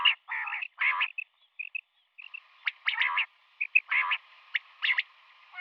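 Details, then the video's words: Female common quail calling in the morning with rough, buzzy bursts and short whistled pips, a brief pause, then more grating notes and sharp clicks. "Female Quail sounds | Common quail Calling in Morning"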